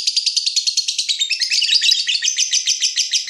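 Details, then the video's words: Lovebird in breeding mood calling to provoke a rival, a long rapid chattering run of harsh high chirps repeated about three times a second, dense and continuous throughout. "BURUNG LOVEBIRD MENCARI LAWAN || LB MANAPUN PASTI NYAUT BUNYI"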